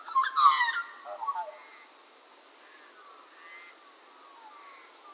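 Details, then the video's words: Australian magpies at Minimay in a conservation reserve, Australia, recorded in January, give a loud burst of rich, fluting, gurgling notes, then softer warbled phrases trailing off, with a thin steady high tone and faint distant calls. "Magpies at Minimay"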